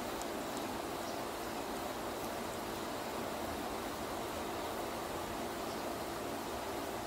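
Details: Steady broadband rushing noise, like flowing water or wind, fills the recording with no animal sound heard.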